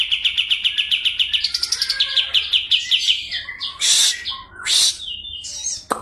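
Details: Kapas tembak white-eye of Medan stock, June 2025, starts with a quick rolling trill that climbs slightly in pitch and breaks into separate notes. Harsh, scratchy bursts and a sharp click follow.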